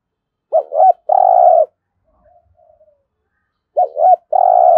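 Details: Spotted dove giving 'thúc gù' urging coos, used daily to train decoy birds: a wavering double note, then a long steady low coo. The phrase repeats about three seconds later over a quiet background.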